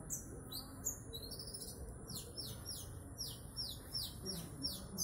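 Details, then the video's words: Konin bird's trotol song: a fast series of high, clear downslurred whistles, almost three notes a second, running in loose bursts above a constant low rumble and thin high-pitched whine. "Burung konin trotol"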